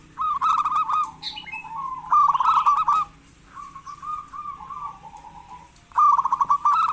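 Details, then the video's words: Local zebra dove, actively calling, used as a lure to get lazy doves to call: bubbly, stuttering coos in bursts of rapid pulsed notes, three phrases with short pauses between them. "Perkutut lokal gacor pancingan perkutut malas agar bunyi"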